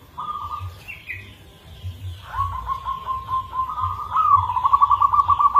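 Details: Local zebra dove with a rare, unusual rhythm, giving a lure song. A short trilled coo is followed by a long rolling phrase that speeds into rapid beaded trills. Higher chirps and a low pulsing hum sit behind it.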